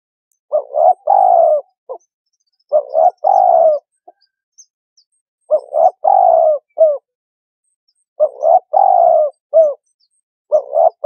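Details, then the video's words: A turtle dove coos in low, soft phrases of three or four notes, each ending with a short clipped note, repeated about every two and a half seconds. "សម្លេងសត្វ លលក . The sound of Turtle-dove"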